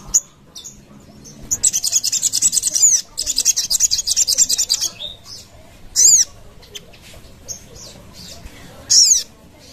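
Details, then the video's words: Sogon call for luring birds, a long burst of quick, high chattering notes broken by a short pause, followed by two isolated loud squeaky calls. "Sogon cepat nyaut dengar suara ini"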